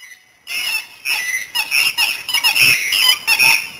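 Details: Dusky moorhen in Australia, 19 December 2015, giving a quick run of about eight harsh, nasal, honking notes in close succession, with no other sounds heard.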